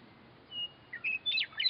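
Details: Western Meadowlark singing from a fence along a roadway: a clear long whistle, then a quick run of flute-like notes ending in a tumbling, gurgling warble, over low road rumble.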